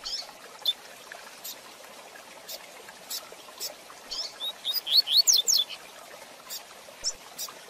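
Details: A double-collared seedeater delivers the fast Tui Tui Zel Zel song meant for training young birds. A short, rising-then-falling series of sharp high whistles sits mid-clip amid faint background crackle.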